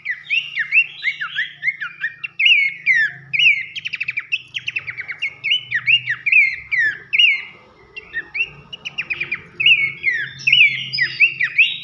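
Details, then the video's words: Masteran song of Horsfield's babbler for schooling competition songbirds, in the loud 'nembak nyiul' style: energetic, varied phrases of downslurred whistles, rattling trills and high chips, with a brief quieter pause near the middle, over a soft low hum. "masteran nembak nyiul keras khas pelanduk semak"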